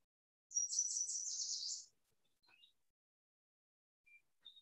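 A Yellow Warbler gives one bright, high, rapid phrase of sweet notes lasting just over a second, followed by a few faint high chips.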